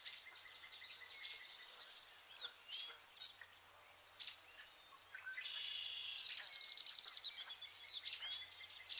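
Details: Vernal hanging parrots feeding on pearl millet give thin, high, squeaky chirps in quick overlapping bursts, several birds at once, over a faint low hum.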